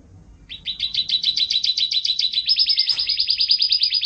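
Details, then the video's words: Caged canary singing on a training recording for songbirds. A steady rapid trill of evenly repeated notes switches midway to a higher, tighter trill, with no other sounds. "Suara Burung Kenari"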